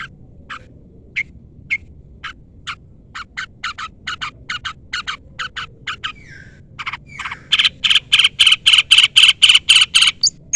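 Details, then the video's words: Long-tailed shrike calling a rival. Soft scattered clicks and ticks build into a loud, fast, regular burst of grating rasps near the end. "pancingan cendet gacor full isian CUITAN MEMANGGIL LAWAN"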